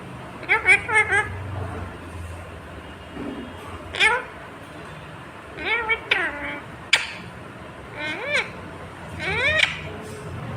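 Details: Green ringneck parrot (rose-ringed parakeet) talking. A string of separate speech-like phrases spaced a couple of seconds apart, each a rising-then-falling harmonic utterance with a nasal, meow-like tone. Low room hum underneath.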